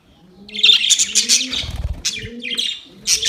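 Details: Budgerigars during a fight on 25 October 2023 give quick high chirping bursts, accompanied by low, soft, drawn-out cooing notes repeating beneath them.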